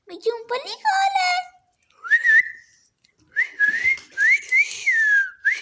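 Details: A parrot talks as it feeds, opening with a buzzy voice-like phrase of stacked tones, then rising and falling whistled notes in two groups.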